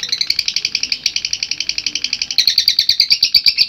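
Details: Long ngekek song of a lovebird, recorded for training other lovebirds: rapid high chattering notes run on without pause, shifting slightly higher in pitch near the end, with a faint low background hum.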